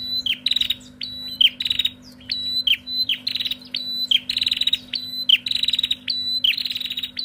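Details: Female bar-winged prinia in lively call-and-answer, pouring out quick buzzy rattles introduced by sharp high whistled notes, phrases coming in close succession over a faint steady hum.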